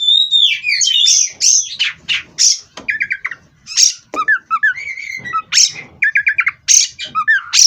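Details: Caged Oriental magpie-robin in vigorous song: falling whistles and sharp loud notes mixed with fast repeated stuttering chirps, delivered in quick alternating bursts.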